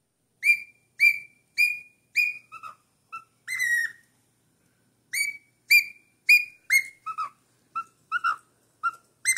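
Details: A four-month-old cockatiel sings in bright, sharp whistles: a steady series of four matching upslurred notes about half a second apart, lower short notes and a wavering long whistle, a brief pause, then another quick burst of mixed whistles.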